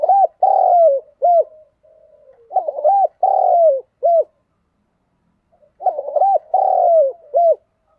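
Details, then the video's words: Decoy spotted dove luring wild doves with its thổ-style song: three repeated phrases, each of stuttered short coos, a long downward-sliding coo and a short rounded final note, spaced about three seconds apart. "tiếng cu mồi thúc bổi cực sung, bổi nghe nhanh về cội, bổi nhà xiêng gáy"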